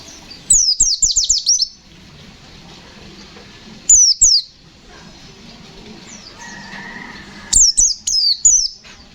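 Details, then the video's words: Bursts of rapid, high descending whistled notes from a pleci (white-eye) singing gacor fighter ngalas nembak style, three bouts separated by quiet pauses of a couple of seconds, faint background hum. "Suara burung pleci Gacor fighter Ngalas nembak, Sobek sobek"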